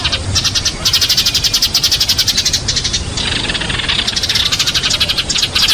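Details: Fighting Eurasian tree sparrows give a continuous, smeared chatter of high chirps in quick pulses, with brief dips in loudness between bursts.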